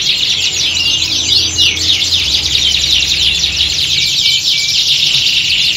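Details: Many caged canaries singing together in a contest-like setting, used to train the birds' nerve for singing competitions; dense overlapping high trills and chirps with rapid rising and falling sweeps, continuous throughout, with a low hum underneath.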